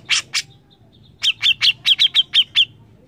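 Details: A Grey-cheeked Bulbul gives two harsh, rasping notes, then a quick run of about nine bright chirps, some eight per second, in a quiet background; described as a very loud, persistent singer.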